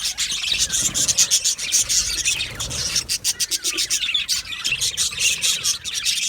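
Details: Aviary colony of Australian budgerigars with rapid, pulsing scratchy chatter, rasping notes repeated in quick succession beneath overlapping high chirps from many birds.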